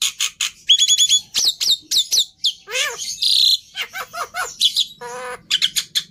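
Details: Black-winged myna in a busy varied song: harmonic stacked whistles, rasping squawks, nasal notes and sharp pips in quick succession.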